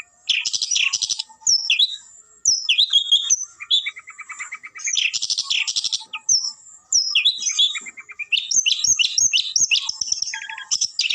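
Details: Long-tailed shrike singing a busy, varied song: bursts of harsh high chattering alternate with buzzy rattles and clear whistled notes, broken by short pauses every couple of seconds.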